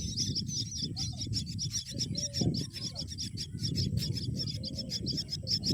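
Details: Nest scene of a myna bringing a green worm to its babies, with a continuous stream of sharp, high chirping notes over heavy low-pitched rumble and handling noise.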